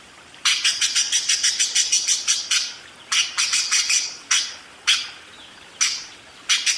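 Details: Busy continuous singing by a budgerigar: a fast string of about a dozen bright chirps, a second rapid burst, then isolated sharp notes spaced about half a second or more apart.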